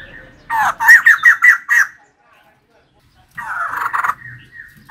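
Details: Female white-crested laughingthrush in energetic song: a string of loud, cackling notes about five a second, a silent gap, then a rougher chattering burst.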